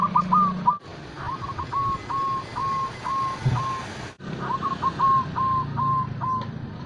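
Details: Local Indonesian zebra dove song used to stimulate other doves into breeding condition: runs of short clear whistled notes, first quick then evenly spaced, in two phrases separated by a brief gap, over steady low background hum.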